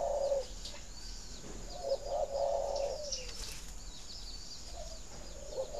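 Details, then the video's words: Spotted dove cooing for birds kept for breeding, meant to spur egg-laying: a short coo, then a longer wavering phrase, then a softer coo near the end, over light background noise and faint high twittering. "Tiếng chim cu thúc đẻ"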